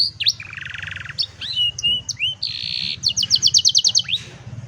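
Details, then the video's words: Singing canary, meant for training young canaries, cellphone recording: a buzzy rolled tour, looping whistled slides, a harsh flat buzz, then a rapid series of bright repeated chips, with low background hum. "Mejor Entrenamiento Para Jóvenes Canarios | Canary Singing"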